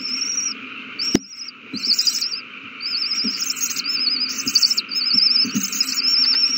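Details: Owl chicks at the nest being fed a big meal, March 27, 2020; high, wavering chittering trills repeat almost without pause, each a quivering whistle-like twitter, over a steady electrical hum with faint clicks.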